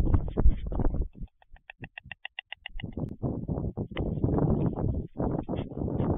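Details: White stork bill-clattering recorded 11 June 2023: a fast, even series of dry wooden clicks lasting about one and a half seconds, set between stretches of heavy low rumbling noise.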